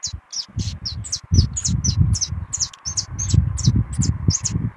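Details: Saffron finch in brown plumage singing a lot: a steady series of short, high, sharp chirped notes, about three per second, over low rumbling and rustling background noise.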